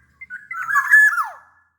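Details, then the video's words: Black-naped oriole from Sumbawa, a large-bodied bird known locally as kepodang sumbawa, in full 'gacor' voice: one fluted phrase of slurred whistles that rises and then swoops downward, in a quiet setting. "SUARA KEPODANG GACOR pancingan kepodang agar bunyi"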